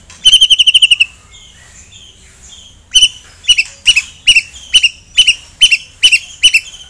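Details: A white-rumped shama (murai) singing loudly in the tembakan style, meant to provoke a rival's aggression: a fast rattling burst of high chirps, a pause with soft notes, then sharp high double-chirps repeated about every half second.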